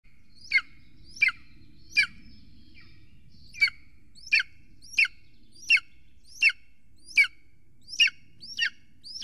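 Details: Golden eagle at a nest on an Estonian live camera, 3 June 2020 at 6:53 pm, as a huge prey item is brought in: high, thin, downward-slurred yelps repeated about every 0.7 seconds, twelve in all, over quiet low background noise.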